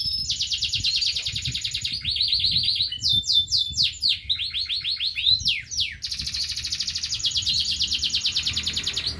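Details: Local canary in full song: long, fast, buzzy trills broken by a run of sharp descending sweeps and clipped notes, then another extended trill.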